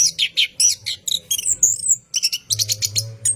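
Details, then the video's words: Night-time singing of an orange-headed thrush in ngerol style, long rolling phrases used to coax caged birds: fast chirps and slurred whistles, one drawn-out wavering whistle mid-phrase, steady low hum behind. "PANCINGAN ANIS KEMBANG GACOR MALAM HARI | NGEROL PANJANG"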